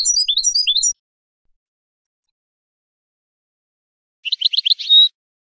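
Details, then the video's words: Two short goldfinch twittering bursts separated by a long silence. The first is jumbled high chirps. The second is a quick run of notes ending in a sustained buzzy tone. From a tape for teaching songbirds. "Analysis of goldfinch songs and their performance in education"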